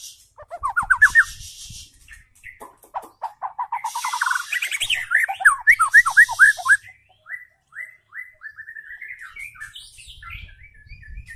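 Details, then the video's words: White-rumped shama, a young speckled bird kept caged as a lure singer, pouring out fast series of rising slurred whistles in rapid runs, then steadier repeated whistled notes, with brief bursts of high hiss. "MURAI BATU GACOR || Pancingan Murai Batu Trotol,langsung nyaut"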